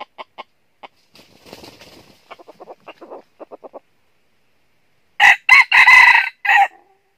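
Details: Decoy red junglefowl used to lure wild birds into a trap in northern Vietnam. A series of dry clucks builds up over five seconds, then comes a loud four-part crow with a drawn-out middle note.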